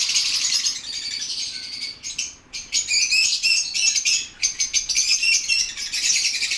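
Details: Lovebirds chattering: shrill, high, overlapping chirps in a busy flock chorus, broken by brief lulls and rustling that may be wing flapping.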